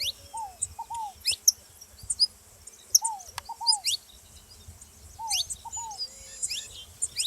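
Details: Saffron finch calling alongside a ground dove: sharp, high, sliding chirps in scattered bursts, with paired lower downslurred notes recurring about every two seconds and faint low background rumble.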